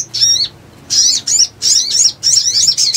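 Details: A sogon used as a lure call for trapping sings bright, high chattering phrases in quick bursts, each about half a second long, with brief pauses between them.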